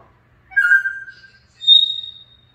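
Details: Grey parrot producing two clean whistles, a steady mid-pitched tone followed by a higher, sustained piercing note, with quiet low hum behind.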